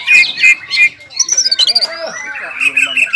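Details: Ngobra and jamtrok song from a caged greater green leafbird aroused by breeding urge: a few loud whistled notes, then a rapid high chattering trill and thin sliding whistles.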